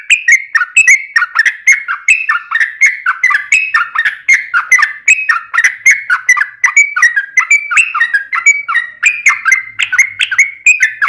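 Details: Yellow-vented bulbul in long rapid 'ropel panjang' song, used as a lure to make other bulbuls sing: continuous bubbly, gurgling chatter of short warbled notes bouncing between mid and high pitch, several notes per second throughout with no pauses.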